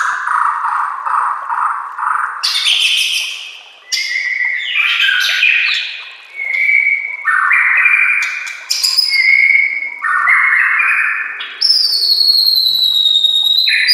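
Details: Training master song of a white-rumped shama with nature sounds and flowing water: varied phrases of low warbles, rapid clicks, clear steady whistles and a final high sweeping note, changing every couple of seconds.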